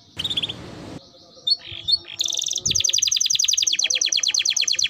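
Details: Timbrado canary song beginning with brief chirps, then a long even rolling trill of rapid high repeated notes lasting almost three seconds, with low background noise.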